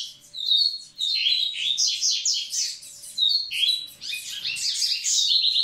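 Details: Double-collared seedeater male song meant to prime the females: long runs of rapid, high chattering and whistled notes, nearly continuous, with slurred rising and falling phrases and a brief dip near the middle.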